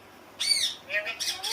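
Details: A pet parrot, presented as a talking bird, gives short, harsh, rising squawks with a quick upward-sliding squeak at the end. The three bursts fall within about a second, and a person is heard speaking before and after.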